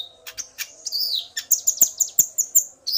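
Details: Common iora male aroused by a female's call, answering her. A rising whistle and scattered chips give way to a quick series of evenly spaced sharp high notes, roughly three per half second.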